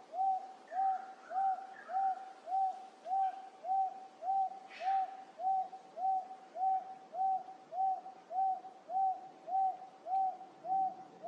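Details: Wonga pigeon recorded up close in late July 2024 at Wentworth Falls in the Blue Mountains, NSW, Australia. It gives a monotonous, low hooting note repeated steadily almost twice a second, with faint other birds behind.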